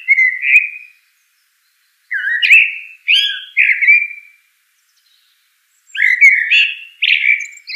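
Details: A common blackbird sings repeated short mellow warbling phrases, some rising and slurred, grouped in bursts with pauses of about a second between them, in a quiet setting.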